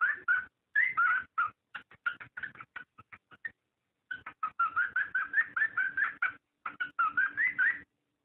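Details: Cockatiel calling to encourage mating: dense chatter of short whistled notes and clicks in long bursts, with warbled rising phrases mixed in and brief pauses between runs.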